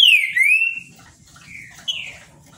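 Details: Trinca-ferro, or Green-winged Saltator, from Paraná, kept in captivity, giving a strong downward-sliding whistle that levels out, followed by two shorter falling whistles; quiet low rumble behind.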